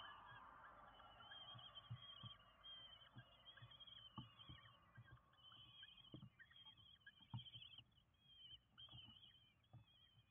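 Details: At a Windsbach, Germany nest on 27 June 2022, five young common kestrels are fed; high wavering begging notes continue throughout, mixed with scattered low knocks and rustling.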